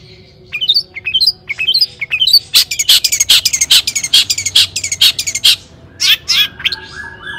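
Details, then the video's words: Toet toet song of a long-tailed shrike, played so that other shrikes reply. Several quick upslurred chirps lead into a dense run of harsh, buzzy notes, then a few scratchy calls and a faint slurred whistle. "cendet gacor AMPUH TOET TOET PANCINGAN CENDET AGAR BUNYI"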